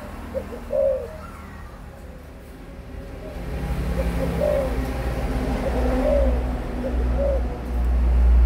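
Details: Adult spotted dove giving soft, rounded coo phrases spaced a second or more apart, while a low engine-like rumble swells and grows louder toward the end.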